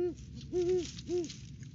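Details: Off-season December visit to the nest tree by a wild Great Horned Owl pair, duetting: three deep, even hoots, the last two longer, over light background rustle.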